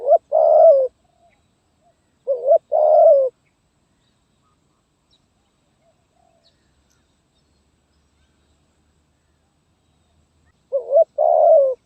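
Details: Zebra dove singing in the 'gagap tindan' (sepatah) style, recorded 23 January 2022: three loud, rolling cooing phrases, each a short stuttered note then a longer trilled coo, separated by long silent pauses.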